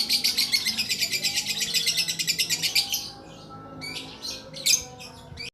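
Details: Lakbet bird sustaining a long song: a fast, high trill of rhythmic pulsed notes for about three seconds, followed by silence and a few short sharp chirps.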